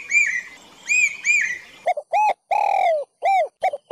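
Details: Forest bird giving loud, clear harmonic notes: three arched chirps, then a quick run of short, bright, downslurred calls with one longer sliding note, sharply cut off between notes.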